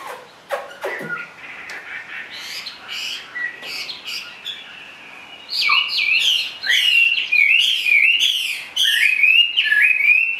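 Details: Caged Chinese hwamei in song: a few sharp clicks and scattered short notes at first, then from the middle a loud flowing stream of bright, looping whistled phrases with quick trills.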